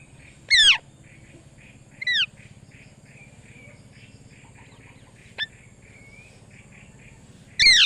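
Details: Parrot calling with a few loud, harsh, sweeping screeches spaced seconds apart, separated by softer chattering and whistled notes over a steady low hum.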